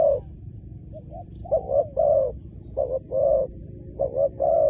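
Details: Spotted dove calling as a decoy to draw wild doves to the ground; after a quiet start come mellow, hollow coos in short groups, each rounded off by a longer sustained note.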